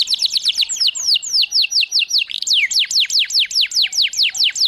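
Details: Canary song for exciting and training canaries: rapid high trill easing into slower falling whistled notes, then a steady run of sharply descending notes.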